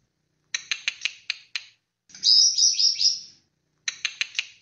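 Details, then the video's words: White-rumped shama of the Aceh, Bahorok, Borneo, Medan and Nias black-tailed forms: a burst of sharp clicking notes, a rich high warbled flourish, then another run of quick clicks. "Suara Burung Murai Batu ACEH, Murai Batu Bahorok Murai Batu Borneo, Murai Batu Medan Nias Ekor Hitam"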